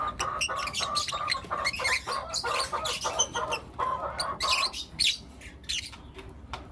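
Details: Lutino lovebirds, four young birds, chirping in the morning; dense run of short, harsh chirps repeated rapidly for most of the clip, thinning toward the end, with a low background hum.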